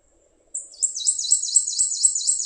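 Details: Prothonotary warbler of riparian habitat around the James River, singing an insistent 'sweet sweet sweet': about ten high, ringing, evenly spaced downslurred notes in quick series after a brief silence.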